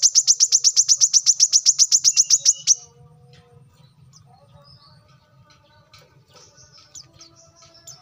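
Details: Brown-throated sunbird, locally kolibri kelapa, manggar or wiceh, in lively gacor singing used as a master recording to train other birds: a fast burst of high, sharp chips about four per second for nearly three seconds, then faint scattered notes over a low hum.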